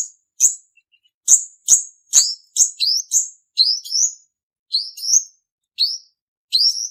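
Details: Male purple-throated sunbird giving a lure song used for trapping: sharp, high, thin chirps with a downward sweep, some doubled, delivered in quick irregular bursts about every half second, with no other sounds.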